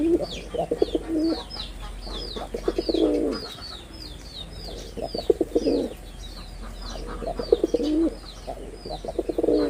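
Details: Repeated deep coos from a performing male red-bordered wild pigeon, four pulsing, rolling phrases spread evenly, under a constant chatter of high-pitched small-bird chirps.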